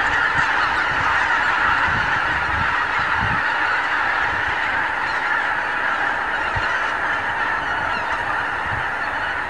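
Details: Thousands of wild geese on pastures and fields of the Lower Rhine in the morning, recorded with a Canon HV20 camcorder; a thick chorus of honks, some nearer calls repeating quickly, fading slightly toward the end.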